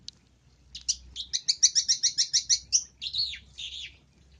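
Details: Long-tailed shrike luring sound: a single sharp note, then a quick rattling series of about a dozen evenly spaced chirps, ending in two slurred, harsher notes.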